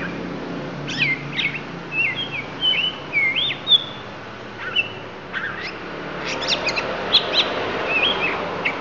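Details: Lampung oriental magpie-robin in isian mode: bursts of sharp chirps alternating with clear looping whistles, then a fast stuttering series of high notes, over soft background noise.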